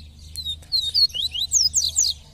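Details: Caged double-collared seedeater (papa-capim), a pet bird urged on by its owner, singing a very fast run of slurred, high whistled notes that sweep up and down in quick succession, with faint low background hum.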